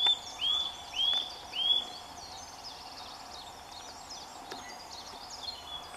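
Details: Eurasian nuthatch singing in full sunshine in the first days of March: three loud rising whistles in quick succession, each sweeping upward and levelling off, then a pause filled with faint high chirps from other birds.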